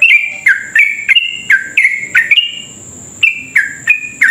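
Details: Yellow-vented bulbul in long rapid song, played to goad other bulbuls into singing. Quick runs of bright, dropping chirps pause briefly before resuming, over a constant high-pitched hum.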